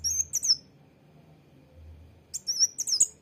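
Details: High-pitched sunbird song, the bird known locally as kolibri wulung or mucang trotol: a pair of sharp, thin, sliding chirps, a pause, then a quicker string of bright, squeaky notes, with a soft low hum in the background.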